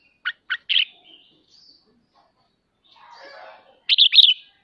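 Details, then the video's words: Red-whiskered bulbul in ché song, used for prompting kept birds to practise: two sharp chips and a short warble, a pause with a soft buzzy murmur, then a bright whistled flourish. "Chào mào khích ché cực hay /kích chim nhà tập ché"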